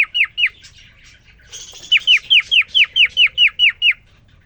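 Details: Male cockatiel courting a female just placed in his cage: a couple of sharp falling whistles, a brief buzzy rasp, then a steady run of about ten quick down-slurred chirps.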